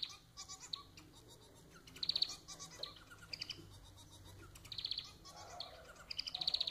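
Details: Society finch (manon) kept as a pet sings repeated short buzzy rattling phrases, three main bursts separated by softer twittering notes and faint background hum.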